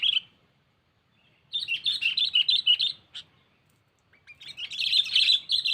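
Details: Sooty-headed bulbul calling a rival as a lure for catching birds without a trap: a short chirp, a pause, then a rapid string of bright, jerky notes and a longer loud chattering outburst.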